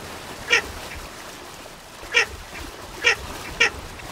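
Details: Short rasping notes from a Baer's pochard, five in quick uneven succession with gaps of half a second to a second and a half, against faint steady hiss.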